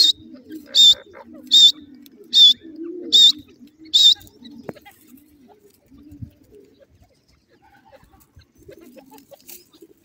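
Grey francolin giving six loud, shrill, harsh notes about every 0.8 seconds, then falling quiet; faint low background murmur follows.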